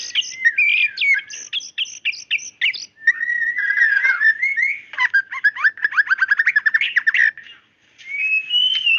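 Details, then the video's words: White-rumped shama, a female calling to the male, sings fluty whistles and slurred notes, then a fast stuttering series of short repeated chips around the middle, ending after a pause with a final rising whistle. "suara murai batu gacor tembakan tajam"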